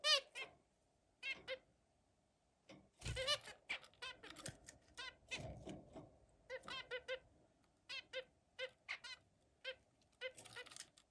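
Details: Singing zebra finch: dense runs of clipped nasal notes, some quick trills and buzzy rasping phrases, with short pauses between bursts in a quiet room.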